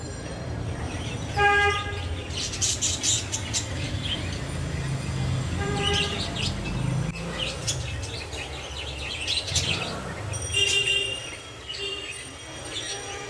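Budgerigars chirp and chatter in quick, scratchy bursts over a low background rumble.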